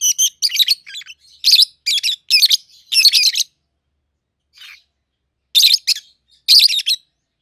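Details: Young pet peach-faced lovebird pair, red-headed green opaline and red-faced dark green, raised together; a rapid series of strident chirps at irregular spacing, a pause of about two seconds, then two more loud bursts.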